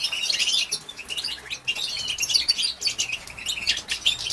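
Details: European goldfinch female, batbata call type used to stimulate males into singing: continuous high, tinkling twitter of quick chirps and buzzy notes, pausing briefly around 1.6 and 2.8 seconds.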